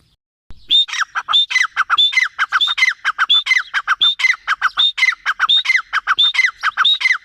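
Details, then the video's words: Loud, continuous grey francolin (teetar) calling. Quick phrases of a high whistled note drop into grating lower notes, repeated over and over at a fast, even pace for seven seconds. "Teetar ki awaz l teetar sound l teetar vioce l gray francoline"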